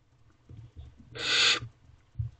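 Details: Barn owlets in a nest box at night, 2:56 am on 5 May 2023, feeding on a rabbit brought by their mother: one harsh broad rushing hiss about half a second long, with soft thumps and shuffling around it.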